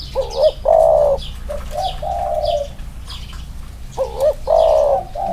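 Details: Spotted dove, one of two caged males compared: loud wavering coos, softer drawn notes, then another loud burst, with faint high-pitched chirping of other birds throughout.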